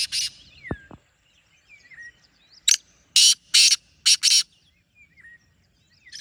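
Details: Rasping black francolin call of about five harsh, broadband notes delivered in quick clipped pairs. Faint chirps and thin descending whistles of other birds come before and after.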